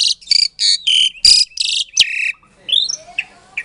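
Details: Asian pied starling bred in captivity at Klaten, Indonesia, whose song is played to provoke silent starlings; a series of harsh buzzy bursts, then a long grating note, followed by softer whistled slurs.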